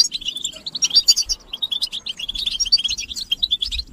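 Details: European goldfinches in a group chorus, played to stimulate males to sing and end their silence, with mating calls: dense, fast twittering of high tinkling notes and buzzy trills that overlap continuously, with faint low thumps underneath.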